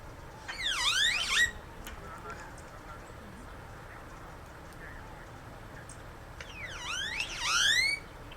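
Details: Great-tailed Grackle, a larger-than-Common-Grackle blackbird of the southwestern United States, giving two bursts of rapid, rising whistled sweeps with an electric, siren-like quality, separated by a quiet stretch with faint background hiss.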